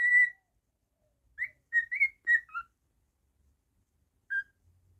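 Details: Pet cockatiel in a quiet room: a long level whistle, then after a pause a quick burst of short rising and falling whistled notes, and one final lone note.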